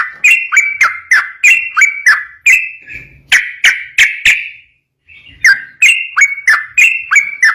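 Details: Lively rapid song of a yellow-vented bulbul used to make other bulbuls respond: repeated clipped, bubbly whistles at a brisk even pace, broken by a short quiet gap before resuming.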